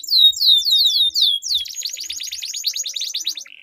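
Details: Canary duel, long rolled song used to stir silent canaries into singing: loud downward-sweeping high notes repeated quickly, followed by a long fast trill of short high pulses.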